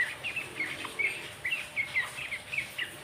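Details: Sooty-headed bulbul singing outdoors: short, bright chirped notes in a loose series of about two per second, some rising and some dipping, over steady faint background hiss.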